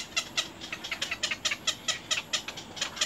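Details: Little egret nestlings biting their mother: quick sharp raspy clicks, a few each second, each a brief broadband burst.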